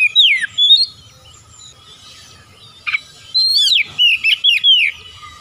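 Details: Oriental magpie-robin singing: a few clear, slurred whistles that fall then rise, a pause, then a quick run of bright whistled notes and trills. A faint low hum sits underneath.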